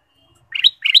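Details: Two quick warbling phrases from a ruby-throated bulbul, a song used to stimulate caged birds, each a tumbling, rising run of bright notes with a clear whistled ending.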